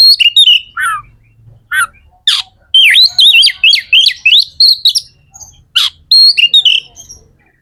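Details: Magpie-robin (kacer) song used to spur other birds into singing: rapid tumbling high whistles and sharp downward sweeps, a long fast run of wavering notes in the middle, then scattered bright phrases.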